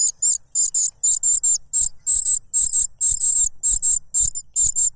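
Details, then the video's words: Cuckoo chick too noisy while trying to grab food, its foster parent feeding it a butterfly; shrill, very high hissing notes run in fast doubled bursts with faint low thumps beneath. "The cuckoo bird is too noisy when trying to grab food杜鹃鸟抢食太吵闹了"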